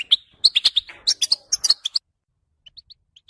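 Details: European goldfinch giving a short burst of rapid twittering, about a dozen bright chirps in under two seconds, followed by a pause and a few soft, faint, high notes.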